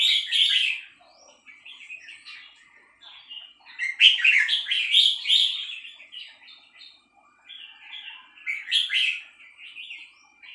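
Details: Female red-whiskered bulbul giving its three-syllable song: clear, lilting whistled phrases in bursts separated by brief silences, with quieter chattering notes in between and little background noise.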